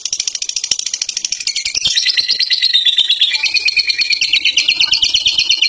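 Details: Fighter lovebird singing its long ngekek song in captivity: rapid, rattling, high-pitched chatter, strongly pulsed, the tone sliding slightly down and back up while the stream runs on without pause.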